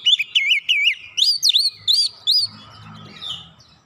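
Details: Oriental magpie-robin lure song meant to draw a reply, showing its learned phrases: wavering whistled notes, then a run of sharp swooping whistles, then a low rumble with a faint distant note.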